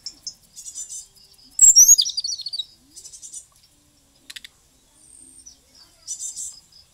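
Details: Vigorously singing white-rumped shama from Bali. Soft, high chattering gives way to a loud, sudden burst of sharp, tumbling whistled notes, then scattered clicks and more quiet chatter.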